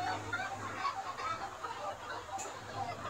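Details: A yard flock of Gà Nòi, Gà Tre and crossbred chickens forages on vegetables and insects in daylight. Short, sharp clucks come several times a second, mixed with a low background hum and chatter.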